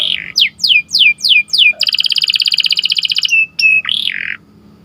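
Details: Canary singing in the morning: a series of loud descending whistled sweeps, then a rapid buzzy trill of evenly repeated notes, followed by steady tones and a final warbled phrase, with a low hum underneath.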